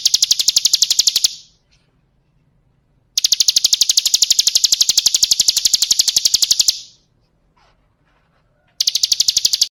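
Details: Lure recording of a female bar-winged prinia calling males: bouts of quick, bright, high-pitched ticks about four per second, separated by silent gaps of roughly two seconds, with three bouts in all.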